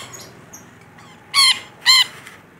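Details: Rainbow lorikeet in full, active voice: two loud, nasal screeches about half a second apart, each rich in stacked harmonics, over a quiet background with faint high chirps.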